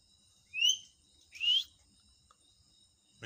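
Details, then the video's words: Talking parrot kept as a pet, sounding two bright upward-sliding whistles about a second apart, then silence with a low room hum. "Bolnay walay طوطے کی آواز"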